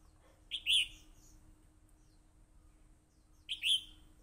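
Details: Red-whiskered Bulbul of a fighting line, recorded on a voice recorder, gives two short bright whistled phrases about three seconds apart, each a quick rising note then a louder liquid slur, over a faint steady low hum.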